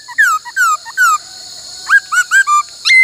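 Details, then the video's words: During song training, a laughingthrush gives its 'bắt cô trói cột' song: three drawn-out descending whistles, a pause, then a burst of looping, up-and-down whistled notes, over a constant high-pitched hiss. "Luyện khướu hót bắt cô trói cột , luyện hót nhiều giọng cực hay"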